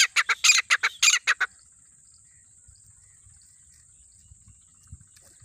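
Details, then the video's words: Partridge that came close from the jungle, calling: a rapid burst of about nine loud, harsh, broadband notes packed into the first second and a half, then near silence with a faint steady high hiss. "jungle ke teetar pass Aaye aur boli lagai teetar ki"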